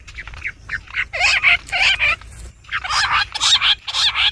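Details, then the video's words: Bush quail calling, a sound used for quail hunting: loud, harsh chattering bursts in uneven groups, separated by brief pauses. "bush quail amazing shikar awaaz | quail hunting sound"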